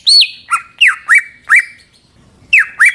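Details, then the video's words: Greater green leafbird singing to provoke other leafbirds: a few loud, ringing slurred whistles, some dipping steeply, separated by a quiet gap before two more whistles. "Pancingan Cucak Ijo Sangat Ampuh Untuk Menaikan Mental Ijo Lain Agar Mau Jamtrok Bongkar Materi"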